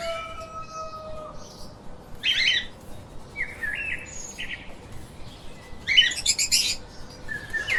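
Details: Pet lovebirds chirping: short bright bursts of harsh, buzzy chips come in scattered clusters, with a thin high whistle fading out at the start and soft background hiss throughout.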